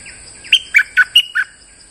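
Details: Streak-eared bulbul in molt, singing normally for a lure recording: five evenly spaced, loud, bright chirped notes, each slurring downward, about a quarter second apart, with a thin steady background hum.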